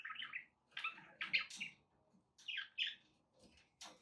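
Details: Pet budgerigar indoors gives a few loud, squeaky, rising-and-falling chirps and short warbles, with low room rumble underneath.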